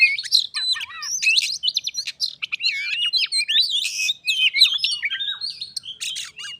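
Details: Caged pet white-rumped shama and a wild visitor in Indonesia, a singing duel escalating into a fight: dense, fast medley of whistles, sweeping slurred notes and scratchy buzzes overlapping in quick succession.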